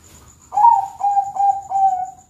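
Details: Bangkok-type zebra dove giving its classic cooing song in the morning: four mellow, soft coos in a row, each slightly falling in pitch, over a thin steady high insect-like whine.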